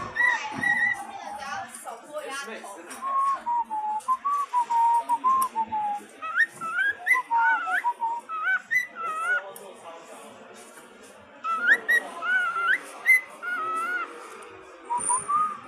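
Cockatiels whistle a warbling song of clear rising and falling notes, with short chattering phrases between.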